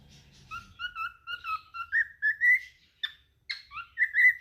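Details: A cockatiel (Nymphicus hollandicus) whistles a tune of clear, slurred notes that climb gradually higher in pitch.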